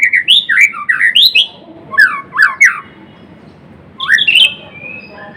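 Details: Gacor song of a white-rumped shama of the Blorok type: bursts of sweet looping whistles, repeated phrases separated by short pauses, closing with a soft drawn-out whistle.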